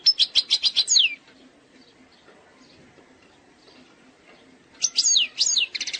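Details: Algerian European goldfinch performing the eastern-sector song style, error-free: a rapid pulsing high trill ending in a falling slur, a long quiet pause, then more sharp slurred notes and a bright trill.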